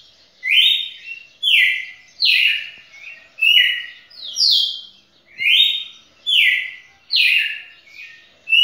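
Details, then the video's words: Champion red-cowled cardinal topping its own two-minute singing record: a fast, lively sequence of about ten whistled phrases, rising and falling slurred notes delivered almost one per second. "Galo-de-campina campeão batendo seu próprio recorde passou de dois minutos"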